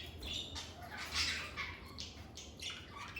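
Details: Short, bright squawks and chirps from lovebirds, several sharp notes packed into about three seconds, loud and grating, above a soft low hum.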